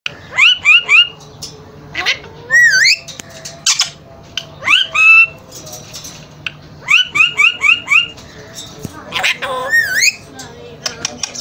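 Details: Alexandrine parakeet, a pet bird shown playing, gives bursts of rapid, ringing upslurred chirps in quick runs of three to five, with short pauses between clusters and a few harsher squawks near the end.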